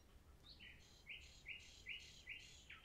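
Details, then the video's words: Common nightingale song phrase: sharp, bright notes repeated roughly every half second, each a short rising chirp with higher overtones, against soft, quiet background hiss. "Nightingales Reign"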